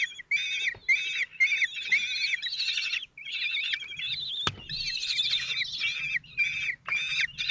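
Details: Four 16-day-old common kestrel chicks at a nest, fed by their single father, 26 June 2023: shrill, trilling chatter of overlapping calls with brief pauses and a sharp knock midway.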